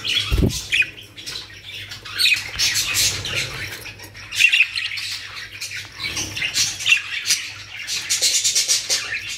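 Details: Caged budgerigars, a new aviary collection in Pakistan, keep up a dense overlapping chatter of warbles, chirps and short squawks with no real pauses, plus a brief low thump near the start.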